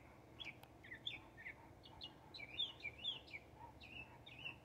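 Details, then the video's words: Texas Northern mockingbird delivering bright, varied chirped and slurred notes in quick succession, some phrases repeated twice, with faint low hum. "Texas Mocking Bird Song"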